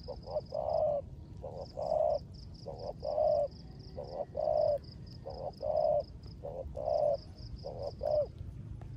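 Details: Rước gù cooing from a caged spotted dove decoy during rain, a clipped double note leading into a fuller held coo, repeated evenly about a dozen times, backed by steady high pulsed chirping and low-frequency noise.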